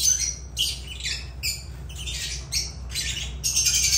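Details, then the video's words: Lovebirds give harsh, shrill squawks and chattering chirps in quick bursts, about two or three a second, with a low steady hum underneath. "Agapornis love birds sounds"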